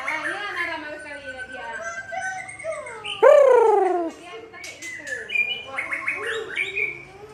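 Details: Aceh white-rumped shama, a bird now scarce there, sings busy warbled and whistled phrases, then one loud, harmonic note falling steeply near the middle, followed by higher trilled and fluttering notes.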